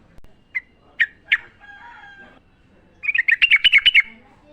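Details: Wild sooty-headed bulbul singing in nature, recorded as a lure to train caged birds to sing: a few separate sharp chirps, then a fast bubbly run of about ten alternating notes; faint steady tones in the background.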